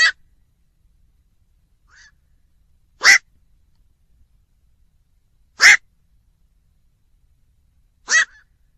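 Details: Harsh, abrupt croaks of a black-crowned night heron, four calls spaced about two and a half seconds apart in near silence, with one faint short note between.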